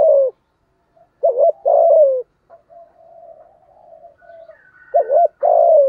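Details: Spotted dove cooing to stir up a rival male: a falling coo, then a wavering double note and a long descending coo, soft murmuring notes, and the pattern repeating with a faint high whistle.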